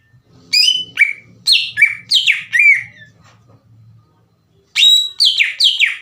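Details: Provoking lure from a greater green leafbird: a run of sharp descending whistles, a pause with soft low rumbling, then a fresh burst of rapid slurred chirps.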